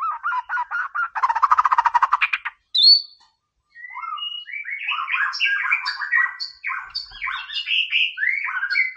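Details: Energetic white-rumped shama song, played to raise a rival's aggression: the bird opens with a rapid harsh rattling chatter, then a sharp high note. A long tumbling sequence of varied quick whistles and chirps follows.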